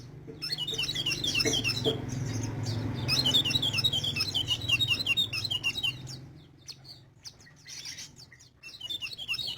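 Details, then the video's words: Sogon in full song, pouring out fast, high, chirpy twitters for the first six seconds, then scattered clicks and short notes; constant low droning hum underneath. "Burung sogon gacor"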